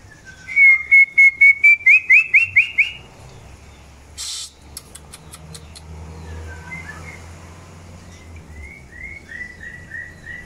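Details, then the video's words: Long-tailed white-rumped shama during breeding pairing utters a rapid string of rising whistles, then a sharp noisy burst and clicks, later soft downslurred whistled notes. "PROSES PENJODOHAN MURAI BATU EKOR PANJANG"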